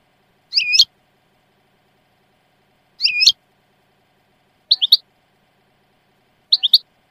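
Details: European goldfinch calling with four short high chirpy notes, the first two fuller twitters, the last two quick double clicks, in near silence.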